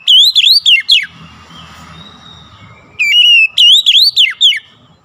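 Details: Goce bird singing: bright whistled notes in quick bursts, each sweeping up then sliding down, in two rapid runs separated by a quiet stretch with a soft steady tone and faint low rumble.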